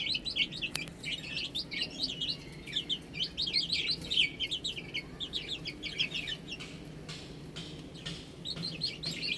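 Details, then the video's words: Many chicks peep steadily while they eat and drink. Their thin notes are rapid and slurred downward, come in busy clusters, and fade briefly near the end before resuming. "Cute Chicks Chirping Sounds"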